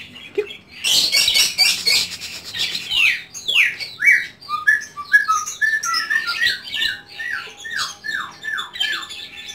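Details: A white-rumped shama kept at home pours out a varied, energetic song. Bursts of noisy chatter give way to a string of clear, down-slurred whistled notes repeated about twice a second.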